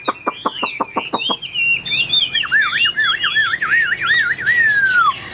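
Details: Caged Chinese hwamei with white wings and tail, singing high on the perch: a run of seven sharp repeated notes, then a loud rolling series of wavy whistles ending in a long falling slur.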